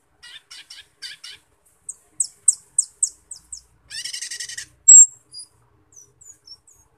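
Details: Cucak keling (Asian glossy starling) giving lure song to set others singing. Short pulsed bursts, a run of sharp high notes, a buzzy rattle, then one strong whistle and a few soft trailing notes.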